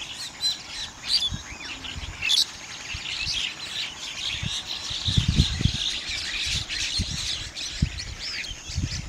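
Bank mynas chatter in a noisy flock, a steady mix of harsh squawks and sharp chirps, with low thumps and rustling underneath.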